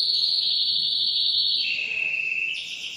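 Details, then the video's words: Caged male canary singing to stimulate a female for mating: a loud, steady, sustained whistled tone that drops to a lower pitch partway through and then rises again. "تغريد ذكر كناري هائج يريد تكسير القفص يحفز الأنثي لتزاوج"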